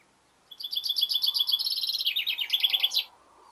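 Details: A male chaffinch in a garden, near the start of spring, sings one bright, rattling phrase of about two and a half seconds: rapid repeated notes stepping downward, then a quick descending run ending in a flourish.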